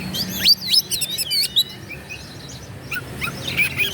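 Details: An Oriental magpie-robin, called kacer, sings to provoke rivals: loud sharp whistles and steep up-down sweeps in the first half, then quieter scattered chirps with soft background hum.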